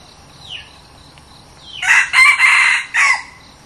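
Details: New decoy red junglefowl brought out to lure wild junglefowl, giving a full crow: a faint slurred note first, then a loud, harsh, choppy series of three or four clipped syllables ending in a brief separate final note.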